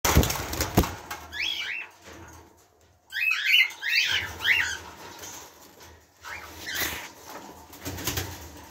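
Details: A pair of red-eyed cockatiels in Morocco: chirps in short bursts of bright, scratchy notes around the middle of the clip, with brief wing flutters and low room noise in between.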